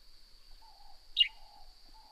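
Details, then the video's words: Northern grey-headed sparrow heard outdoors giving a single brief, sharp downward chirp, with a faint low hum and a continuous high-pitched insect drone behind it. "Northern Grey-Headed Sparrow Serenade"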